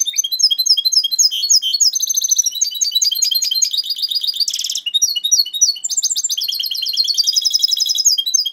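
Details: Goldfinch hybrid recorded in 2011 singing a long unbroken medley of high twitters, buzzy rattles, trills and whistled notes, fast and varied throughout.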